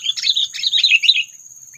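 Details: Sooty-headed bulbul lure call, used in bird trapping to provoke predators; a rapid burst of bubbly, chirping high notes that tumble up and down for just over a second, over a steady thin high whine.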